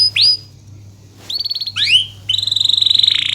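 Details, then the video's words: Canary singing, used as a model to train lazy canaries to sing: short high whistled phrases, a rising note, then a sharp downslurred pair and a long rapid buzzy trill, separated by brief silences; faint low steady hum beneath. "BURUNG KENARI GACOR⁉️ Cocok UnTuk MASTERAN KENARI malas bunyi"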